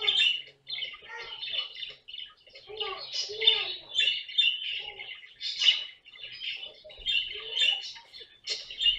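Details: Pet caique parrot producing a busy mix of scratchy squawks and shorter chirping notes in quick uneven bursts, some louder rasping peaks standing out among softer chatter.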